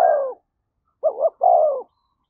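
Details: A spotted dove in thổ voice, cooing to provoke a fight. The tail of one drawn-out coo is heard, then after a pause a new phrase: a quick double note and a long, slightly descending coo.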